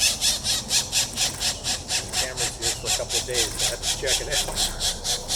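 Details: Pileated woodpecker chicks being fed by a parent on a morning of 21 April 2024 give harsh, buzzy begging rasps, about two a second in a steady rhythm, while people talk quietly nearby.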